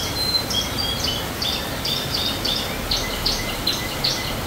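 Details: On a rainy day a canary sings varied high whistled and chirping syllables. The notes change pitch from phrase to phrase over a steady hiss of background noise.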